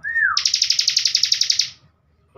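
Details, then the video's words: Bar-winged prinia (ciblek), master recording for training young cage birds for contests: a slurred whistle dropping in pitch, then a fast buzzy trill of about fifteen rapid notes lasting over a second, then silence. "CIBLEK Bren COCOK BUAT MASTERAN"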